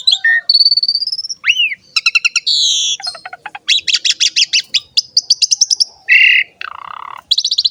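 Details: Asian pied starling song for training and luring young starlings: a rich mix of sustained whistles, a drooping slur, trilled rattles, rapid ticking series and nasal squawky notes, delivered continuously and loudly against silence.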